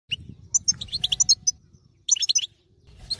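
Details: Wild European goldfinch singing with twittering phrases: two bursts of high tinkling, clipped notes, separated by a short pause, over a low background rumble.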